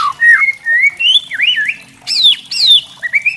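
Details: Kretekan song of a spotted white-rumped shama, meant to provoke rival shamas: loud rich whistles that rise, wobble and swoop, with a high sharp falling phrase near the end.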